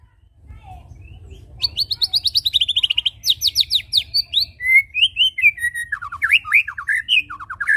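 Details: White-rumped shama song used as a lure to make birds sing: after a quiet start, rapid trains of buzzy repeated notes, then loud rich whistled phrases with rising and falling slurs, steady low hum beneath.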